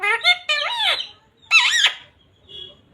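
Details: Pet green parrot mimicking Hindi words such as "radhe radhe", "mithu beta" and "sita ram" indoors. Two quick, voice-like utterances with gliding, nasal vowels are separated by a brief pause.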